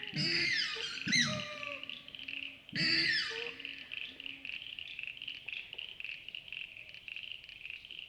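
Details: Australasian swamphen at night by a wetland in Wollemi National Park, NSW, Australia: two loud, harsh squealing bursts with falling tones and low grunting undertones, over a steady high droning of insects.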